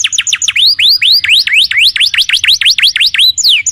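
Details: Lure recording of a canary in lively song, meant to make other canaries answer at once: a steady run of clear whistled notes, each swooping down and back up, about four per second, bright and high.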